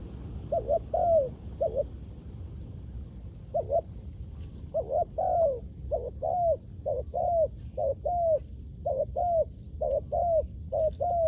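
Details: Spotted dove call for luring wild doves: a few paired coos, a pause of about two seconds, then a steady series of short-and-long falling coos roughly once a second.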